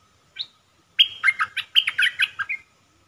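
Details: A caged red-whiskered bulbul used to lure birds for trapping, recorded 1 September 2021 giving dok taeng style song: a single short note, then a fast run of about ten bright, fluty, bouncing notes.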